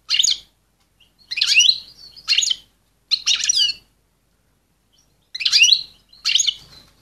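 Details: Excited female European goldfinch calling to stimulate males: six bursts of bright, twittering chirps with buzzy, rapidly warbled notes, spaced by short silences, clean background.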